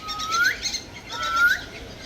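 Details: African grey parrot whistling twice, each a clean tone held near one pitch then sweeping sharply upward at the end, about one second apart, with faint chirpy background noise.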